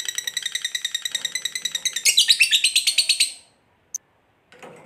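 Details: Fighter lovebird giving its long 'ngekek' chatter, meant to provoke rivals and set silent lovebirds singing: rapid, evenly spaced high buzzy notes for over three seconds, growing louder mid-way, then stopping; one short click after.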